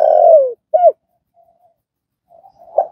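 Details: Spotted dove used as a training call for a freshly caught dove: the end of a long, sliding coo and one short arched hoot, followed by faint soft notes and a quiet murmured hoot.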